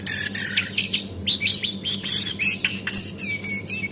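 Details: Female cingcoang, the Javan white-eye, as a lure for quick singing: high chirps with a series of downslurred whistled notes about twice a second, mixed with sharp twitters, over a steady low hum.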